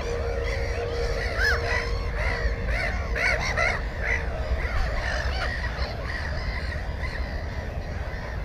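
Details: At a Black-headed gull nest containing one egg and one chick, GoPro 4, 15 May 2016: a busy run of grating, repeated calls in the first half, roughly two or three per second, easing into quieter background calling over rumble.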